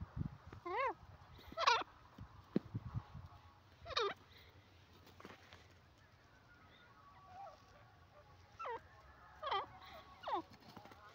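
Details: Grey francolin (teetar) calling: loud, harsh notes rich in overtones that bend up and down, given in short bursts a second or more apart, with a pause mid-clip, over faint steady background hum and distant chirps.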